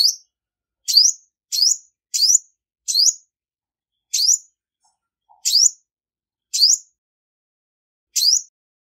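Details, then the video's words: Female olive-backed sunbird, Cinnyris jugularis, from Vietnam, recorded with no background noise: sharp high chirps sweeping upward then down, given singly at uneven intervals of about half a second to a second, nine notes in all. "Tiếng chim Hút mật 5 màu mái không tạp âm | Olive-backed Sunbird Female"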